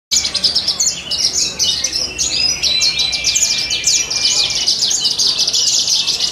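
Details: Horsfield's bush lark competing at a songbird contest at an animal market in Purbalingga, delivering a dense, continuous stream of high chirps, trills and rapid twittering notes with a thin sustained whistle underneath.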